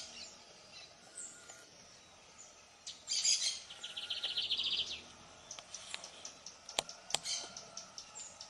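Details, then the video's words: Lined seedeater singing: after faint background chatter, a short rapid trill of high repeated notes runs for about two seconds, followed by scattered sharp clicks and chips. "Canto de bigodinho"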